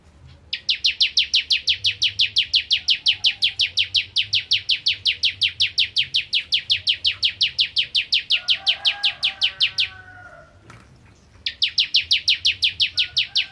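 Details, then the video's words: Bar-winged prinia (crystal type) singing in the rapid 'nembak ngentrok' style: a long, fast train of sharp, downslurred high chips, about five per second, breaking off briefly after ten seconds, then resuming. "Ciblek Kristal Gacor Nembak Ngentrok"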